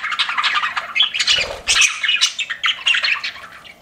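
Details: Pet budgies chattering steadily with rasping squawks and fast twittering chirps layered over one another, with a short low fluttering sound near the middle.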